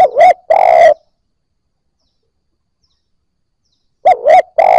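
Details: Freshly caught spotted dove coming into voice, used to prompt other newly caught doves: two phrases of bouncing twin hoots and a long rough coo, about four seconds apart, with clean silence between.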